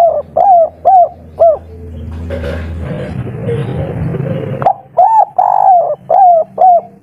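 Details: Spotted dove, a local bird in the 'kuk 3' style, singing fervently. Soft cooing notes come in rhythmic phrases, separated by a noisy middle stretch with rustling and low hum, then a clear second run of coos.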